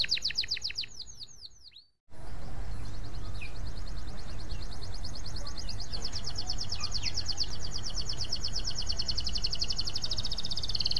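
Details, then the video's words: Vigorous canary song meant to start other canaries singing: swooping whistled notes, a short break, then a long, continuous high rapid trill over steady low rumbling noise. "KENARI GACOR PANJANG ! Ampuh untuk memancing kenari lain bunyi"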